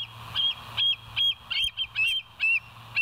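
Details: West End bald eagles on a live nature cam, 9 September 2023 at 10:28, giving an irregular series of high, piping whistled calls, some clipped and harsh, with a faint low hum beneath.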